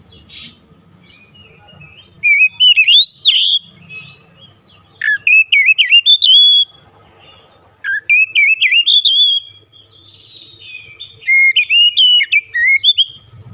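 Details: Oriental magpie-robin, singing actively through a varied repertoire. Four bursts of rapid, looping, rising whistled notes are separated by pauses of about a second or two, in an otherwise quiet setting.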